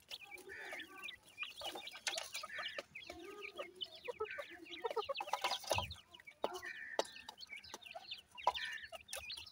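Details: Teetar chicks, named as grey francolin, peep steadily in a dense chorus of short high upslurs, joined by low clucking passages and sharp rustling noises.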